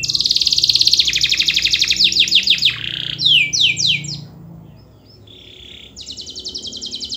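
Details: Singing canary used as a lure to make reluctant canaries join in: a dense high trill, then a run of slurred downward sweeps, a short pause with a buzzy note, and a fresh rapid rattle.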